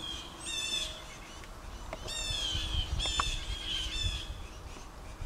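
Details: Jays among upset birds in woods at the end of a driveway, scolding an owl or hawk intruder; harsh, nasal, rasping calls repeated several times a second in uneven bursts, over rumbling background noise.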